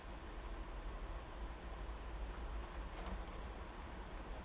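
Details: Steady rushing broadband noise like wind on a microphone, unchanging throughout and with no animal voice.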